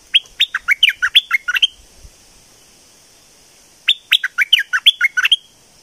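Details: Streak-eared bulbul from southern Thailand, two bursts of bright chattering song, each a rapid string of about ten short, sharp notes with quick dips and rises, separated by roughly two seconds of silence.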